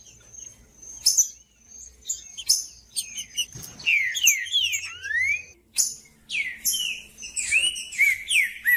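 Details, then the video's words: Green-winged saltator giving firm-rhythmed macheando song to stimulate other birds: after a faint high steady tone, zigzag slurred whistles rise and fall, then loud falling whistled phrases with sharp clicks between. "CANTO DO TRINCA FERRO MACHEANDO"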